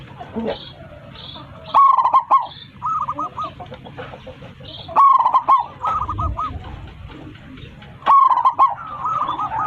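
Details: Zebra dove of a local strain, in full voice and calling its flock, delivers three loud rippling coo phrases roughly three seconds apart; quieter series of curved, repeated coo notes fill the gaps.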